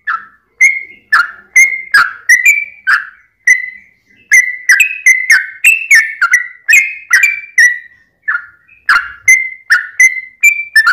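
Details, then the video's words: Long song of a yellow-vented bulbul, used as a lure to make other bulbuls sing: clusters of bubbly, warbled whistles broken by short pauses, notes wavering up and down in pitch. "trucukan gacor ROPEL PANJANG buat pancingan trucukan agar bunyi"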